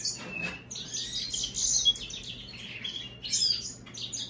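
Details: Hybrid of American goldfinch and European greenfinch delivering a continuous high twittering warble with thin whistles and buzzy notes, against a faint constant hum.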